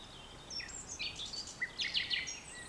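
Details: Common nightingale song at dusk, France, 22 April 2020, from vegetation bordering farmland: a jumble of high varied whistles and chirps, with a denser cluster of louder, buzzy notes late in the phrase, over soft ambient hiss.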